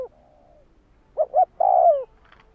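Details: Spotted dove raised for training decoys, a soft trailing coo followed by two short hollow notes and a loud, long, downward-sliding coo.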